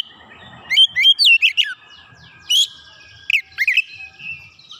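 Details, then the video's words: Energetic song of an oriental magpie-robin pouring out its borrowed repertoire: a fast series of clear, sliding whistles and chips, a lone high note, then another rapid cluster of twisting whistled notes over a soft background. "PANCINGAN KACER LANGSUNG GREGET GACOR BONGKAR ISIAN"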